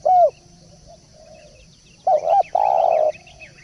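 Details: Spotted dove lure call: a brief low coo at the start, then after a pause a stronger, longer cooing phrase, with faint high ticking in the background.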